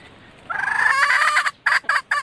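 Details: Red junglefowl hen calling males, a lure sound: a drawn-out, grating squawk followed by three short, harsh clucks, over a faint low background hum.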